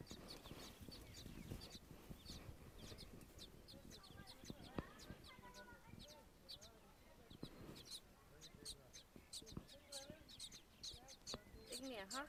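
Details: Several days-old sparrow chicks, not yet able to see, call for food as a hand passes over the nest; dense streams of high chirps run throughout, mixed with wavering mid-pitched squeaks and soft background sounds.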